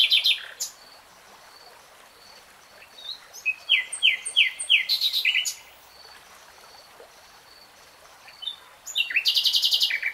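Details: Nightingale song in real time: phrases of sharp, descending whistled notes repeated in a quick series, separated by silent gaps, with a final dense trill of rapid repeated notes; soft constant hiss behind.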